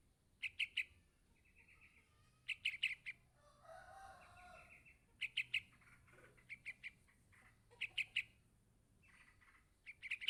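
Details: Yellow-vented bulbul chick calling its parent: bursts of three or four sharp, high chirps around every one and a half seconds, with softer buzzy notes between them.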